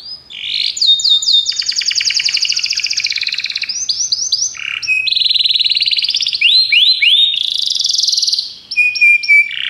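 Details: Belgian canary song for canary training: a buzzy rolling trill lasting a few seconds, varied trilled phrases, upward slurs and a sustained high whistle at the end.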